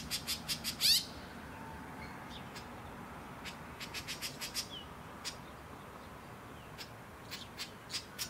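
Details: White-breasted woodswallow (Artamus leucorynchus) on the Sunshine Coast, Queensland, in January 2021, calling in harsh, clipped chirps in irregular bursts, with one louder rasping squawk near the start, over a steady background hiss.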